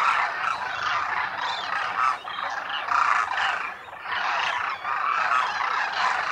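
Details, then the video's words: Migrant Demoiselle cranes (Koonj) wintering in great numbers at a lake in Khichan, Thar Desert, Rajasthan, India; thick overlapping trumpeting and croaking from many birds, rising and falling in waves with brief dips. "DEMOISELLE CRANES of KHICHAN at the lake in THAR Desert | RAJASTHAN 🇮🇳 INDIA | BIRD sounds | KOONJ"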